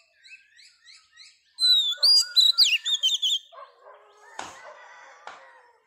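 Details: Wild-caught female Oriental magpie-robin singing to stimulate males: soft repeated chirps, then a loud burst of bright whistled, warbling notes, followed by lower scratchy phrases and two sharp clicks.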